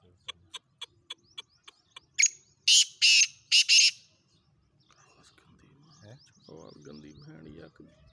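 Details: Black francolin from Khushab, Pakistan: a run of sharp ticking notes, then three loud, harsh grating bursts, followed by a man speaking.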